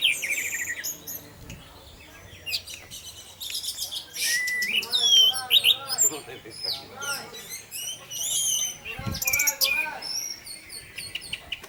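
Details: Lure song of an orange-headed thrush in the 'teler' manner, meant to set other thrushes singing: a long, richly varied medley of high whistles, sharp chips, buzzy bursts and sweeping slurred notes, delivered in uneven bursts.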